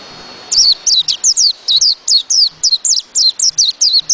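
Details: White-eye singing a fast, sustained run of high, sharp notes, each slurring downward, repeated roughly five times per second almost without pause.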